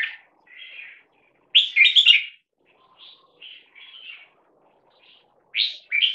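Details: During a loudness test, a caged crossbred bulbul, three-quarters Red-whiskered and Stripe-throated Bulbul, aged 1.5 years, gives loud, bubbling warbled phrases broken by brief whistled notes and pauses.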